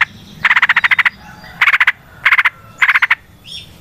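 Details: Yellow-vented bulbul recorded as natural forest sound, singing long rapid phrases used to lure other bulbuls. Four clear trains of quick, evenly pulsed notes, the first the longest, separated by short silences.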